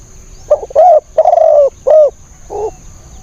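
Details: Decoy spotted dove used to attract wild birds, calling one hoarse cooing phrase: a short note, two longer sustained coos, another short coo, then a quieter final note.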